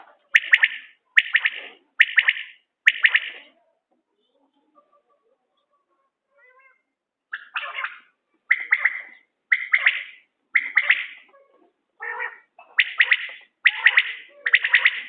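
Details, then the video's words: A common quail gives short, liquid, clipped phrases about once a second: four, then a pause, then a longer run, with no other sounds standing out. "بٹیر کی عمدہ بولیاں"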